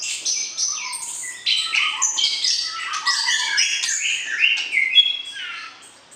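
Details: Mating song of the white-rumped shama, meant to excite the opposite sex ahead of breeding: busy, overlapping whistled phrases with some lower warbled notes, continuous and gradually fading at the end.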